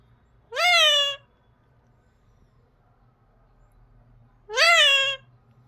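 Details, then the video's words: A parrot kept as a pet repeats bye twice, about four seconds apart; each word is a short, rising-then-level, reedy voiced note, with quiet room hum between. "Bye bolta hai mithu"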